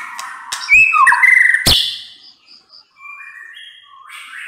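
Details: White-rumped shama phrase of a rising whistle and warbled trill with a sharp snap, then fading soft high whistles.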